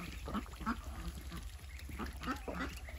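Muscovy ducks give short, soft nasal quacks, about four over three seconds, coming in loose pairs over a low background rumble.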